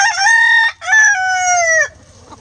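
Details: Rooster crowing in a coop while hens eat eggs. A loud, harmonically rich crow comes in two parts: a short first burst, a brief gap, then a longer, steady, slightly falling note that cuts off sharply before quiet background.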